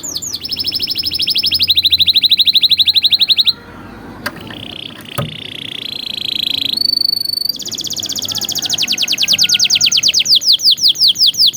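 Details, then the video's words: Canary song with rich phrasing, played to teach young canaries: fast high trills shift into lower rolling buzzes, two sharp clicks, a rising roll, a thin steady whistle, then rapid repeated slurred notes. "MASTERAN PALING EFEKTIF BURUNG KENARI | COCOK UNTUK MASTERAN KENARI PAUD"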